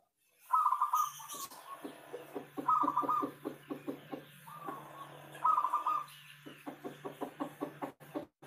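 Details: Javanese local zebra dove (perkutut) lure recording: three brief rolling trilled coos, spaced a few seconds apart, separated by a steady series of soft pulsed cooing notes and a faint low hum.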